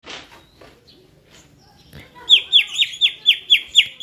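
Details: Caged greater green leafbird trained for singing competitions, after faint scattered chirps and rustling, a bright rhythmic run of loud downslurred whistled notes repeated about four times per second.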